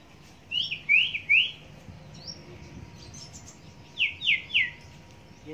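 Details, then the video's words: Huýt cô bird recorded while trapping with a caged female decoy at the first rain of the season in rural Vietnam; two bursts of three clear, downslurred whistles, each note quickly following the last, with quiet pauses between bursts. "Bẫy Chim Huýt Cô"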